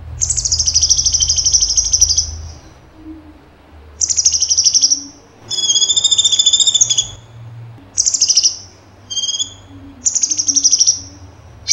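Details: Cucak cungkok in repeated bursts of song: long high rapid trills alternating with clear whistled phrases and short chirps, separated by brief pauses over roughly twelve seconds.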